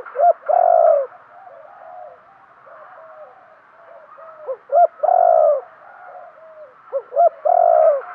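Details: Captive spotted dove used as a decoy, cooing to provoke wild birds. Three phrases come about every three seconds, each with one or two short clipped notes leading into a long, mellow, sustained coo.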